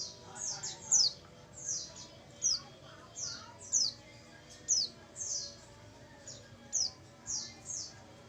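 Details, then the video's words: Female oriental white-eye lure call: a steady run of short, high, thin chirps, each dropping quickly in pitch, coming in irregular clusters about every half second, with a faint murmur in the background. "pancingan pleci betina"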